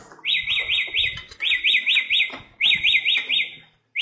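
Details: Samyong, a Bare-throated Whistler, in the wild: rapid clusters of four sharp rising-and-falling whistled notes, bright and ringing, repeated in three bursts with short pauses and faint low rustling underneath.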